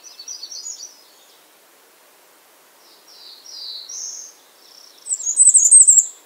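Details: Thin, high notes open the recording, then after a pause a Bay-breasted warbler gives a run of soft, sliding high notes that ends in a shrill, buzzy flutter.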